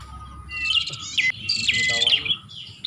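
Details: Short Bar-winged prinia (prenjak) lure call for attracting birds: two bursts of scratchy, buzzy chirps with a sharp downslurred note, low background noise.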